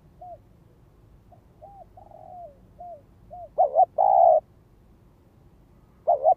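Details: Soft, distant coos from a spotted dove kept as a ground lure, calling in the gáy gọi, thúc and kích bổi styles, give way to a loud close phrase of a quick double coo and a long held coo.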